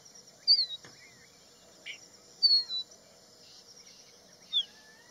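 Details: Crested bunting (Emberiza lathami), song.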